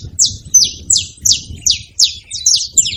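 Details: Wild saffron finches, free in a hedge, making noise: a steady run of short, sharp, downward-sweeping chirps, about three per second, high and bright, with faint low rumble beneath.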